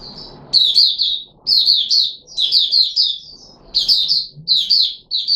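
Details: Puteh Raja red-whiskered bulbul, caged, 13 April 2021, given special juice, a mealworm and a booster: a soft opening note, then lively loud phrases of rolling, slurred whistles repeated about every second.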